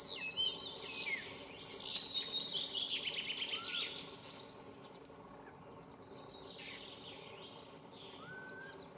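Common starling: a dense, high run of clicks, rattles and squeaky whistles over the first few seconds, then quieter slurred whistles rising and falling against steady background hum.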